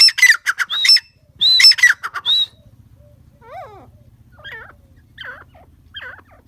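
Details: Grey francolin delivering two loud bursts of harsh, rapid notes, followed by several faint, separate descending calls spaced about a second apart.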